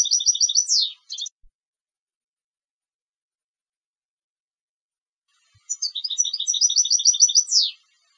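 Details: European goldfinch bred for competition: a twittering trill phrase ends in a descending slur with a brief extra note burst, four seconds of silence, then a second matching phrase with the same falling finish.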